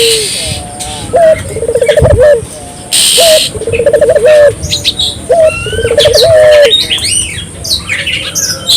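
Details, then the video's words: A Barbary dove calling to set local doves calling: three phrases, each a short note, a fast pulsing roll and a level coo, spaced about two seconds apart. Other small birds chirp and whistle brightly afterwards. "suara burung puter gacor,merangsang burung puter lokal ikut gacor"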